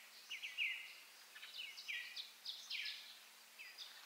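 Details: Western bluebird (Sialia mexicana) gives its quiet, chortling call: soft, slurred chattering notes in short bursts about every second, mid-high in pitch, over a faint steady hum.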